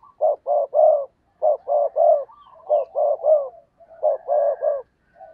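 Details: Decoy spotted dove cooing rapidly to call in wild doves: groups of three short, throaty coos in quick succession, repeated four times with brief pauses and soft connecting notes.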